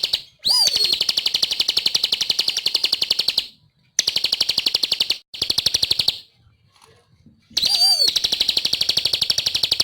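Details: Energetic bar-winged prinia song: bursts of fast, evenly repeated high ticking notes, each series opening with a slurred falling whistle, separated by short pauses.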